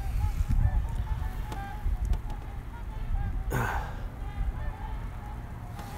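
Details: Low rumbling wind and engine noise with a steady faint whine and a brief splash-like burst; no animal calls stand out.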